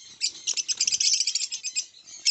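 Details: Orange line o.b. zebra finch: dense, rapid, high-pitched chirps and buzzy chatter, overlapping and nearly continuous, with brief pauses between bursts.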